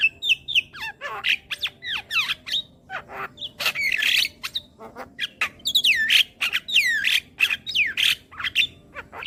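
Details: Javan myna song used as a tutor recording for young birds: a dense, fast run of harsh squawks, clicks and bright rising and falling whistled sweeps, several notes a second with no pauses.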